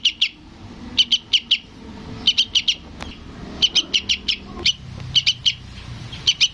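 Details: , Yellow-vented bulbul (trucukan) chick calling its parent, used as a lure for adult birds: high sharp chirps in quick pairs and triplets, clustered in bursts about a second apart, with faint low background hum.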